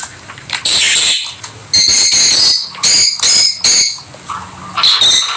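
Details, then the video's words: Pet rosy-faced (peach-faced) lovebirds playing together give loud, shrill, harsh chirps and squawks in rapid bursts, several close together, with brief pauses between. "Lovely Lovebird Noise Peach faced Lovebird and Rosy faced Lovebird"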